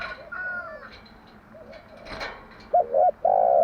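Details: Morning song of a spotted dove, a standard cooing pattern used for luring training doves: soft background coos and chirps of other birds, then a strong double coo ending in a long sustained hoot.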